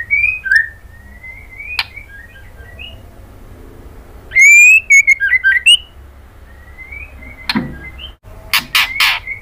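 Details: Female white-rumped shama calling to a male with clear, sliding whistles and short warbled phrases, including a loud twisting run midway, followed by sharp harsh bursts near the close.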